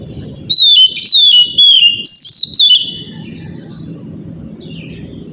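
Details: Powerful morning song from an Oriental magpie-robin, used to draw other magpie-robins into song: four or five loud, clear whistles that dip and rise, followed by low steady hum and one short high buzzy note.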